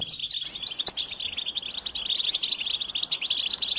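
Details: Short burst of goldfinch song, quick twittering chips with a few clearer rising whistled notes over a steady trill.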